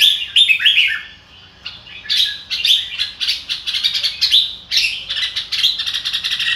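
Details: Red-whiskered bulbul song of the style called "ro kích bổi", a rapid run of bright whistled and warbled notes with chattering bursts, pausing briefly near the start then continuing in dense phrases.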